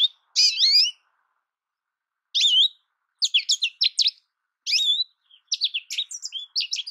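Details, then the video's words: American goldfinch giving scattered high slurred whistles and short twittering phrases with long silent gaps between them, growing busier toward the end. "American goldfinch Bird Sound, Bird Song, Bird Call Bird Calling Chirps, Birds Chirping Melody"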